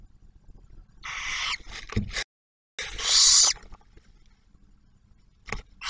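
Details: Barn owl at a nest camera at Ottawa National Wildlife Refuge near Oak Harbor, Ohio, where the male delivers food and the female shares a meal with the first hatched owlet; two harsh broadband hissing screeches with scratching and clicks between.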